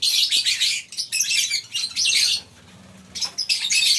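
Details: Colony-housed lovebirds at a breeding farm in the morning give bursts of loud, high, squeaky chatter, broken by a clear quiet gap of about a second before the flock noise resumes.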